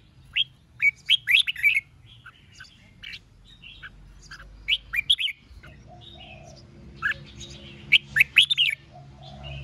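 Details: Red-whiskered bulbul singing competitively ('hót đấu') to provoke rivals: clustered bright whistled notes in quick bursts, pausing, then renewed louder phrases, over a low hum that rises after midway.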